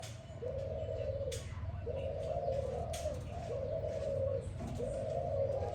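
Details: Spotted dove calling in the morning: four drawn-out, mellow cooing notes, steady in pitch, each lasting about a second with short gaps between them, over a constant low rumble of background noise.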